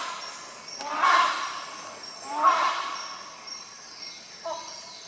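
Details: Two drawn-out, resonant honks from a rhinoceros hornbill, followed by a shorter note, with steady high insect buzzing underneath.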